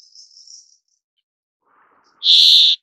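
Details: A single loud, rasping nasal wheeze from a brambling, preceded by a faint high, thin trilling in the background.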